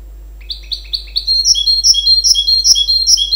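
A goldfinch-canary hybrid sings a quick run of bright, high chirps that build into a fast, twittering warble with rolling trills. No other sounds intrude.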